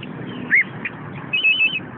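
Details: A caged orange-headed thrush gives a loud curved whistle, then a quick wavering series of high whistled notes, with low background hum.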